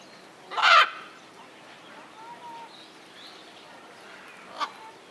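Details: A macaw at Hamura Zoo in Tokyo, recorded 14 April 2011, gives one loud, harsh, raucous squawk, then a shorter rasping note about four seconds later, against quiet background hiss.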